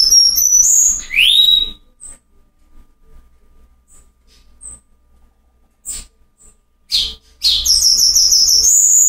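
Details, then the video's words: Cuban bullfinch from Cuba in the rare 'Silvao' song style: high thin whistles and a rising slur open the clip, followed by near silence with faint ticks, then sharp notes and pulsed very high whistles. "Negrito cantando Silvao RARO Cuba"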